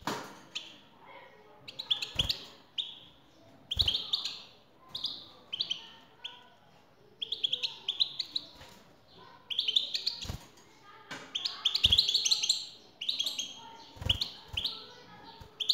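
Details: A male European goldfinch answers a female's call with a long run of sparkling, jumbled twitters and trills in repeated bursts, punctuated by loud knocks and taps.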